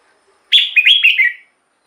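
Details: Red-whiskered bulbul song, played to excite other bulbuls or lure wild ones: one short bright phrase of about one second, a clear opening note followed by three quick warbled, slightly falling notes, then silence.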